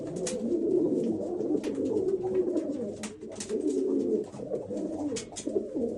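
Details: Old German Owl pigeons murmuring in throaty, overlapping coos that swell and fade every second or two, punctuated by sharp clicks.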